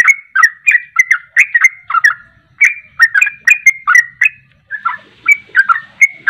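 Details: Sooty-headed bulbul giving rapid 'ropelan' song as a lure to provoke singing: tight clusters of chirpy, slurred whistles, a short pause near the middle, then more bubbly notes.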